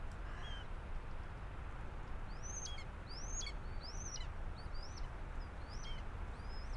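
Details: In a hide on a North Wales farm, Common Buzzards give high, slurred mewing calls that arch up then drop, several a second, some overlapping, over a low rumble; a couple of young birds call close by near a pheasant carcass.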